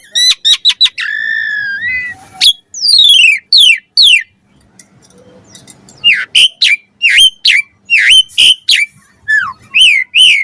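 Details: Caged Asian pied starling singing a varied master song used to train other birds: bursts of rapid whistled notes, a long slurred whistle, descending sweeps and a run of sharp rising-falling chirps after a short pause.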